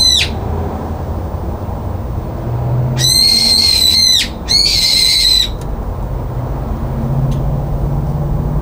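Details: Screaming brown-eared bulbul shut out from a balcony feeder, 9 February 2022, giving two loud, rasping, drawn-out shrieks about a second apart, with a low hum of background noise throughout.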